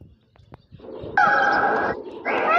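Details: Jawa peacock letting out two loud, harsh, harmonic wails, the first long and level, the second starting after a short pause, with faint ticks and rustling before the calls begin.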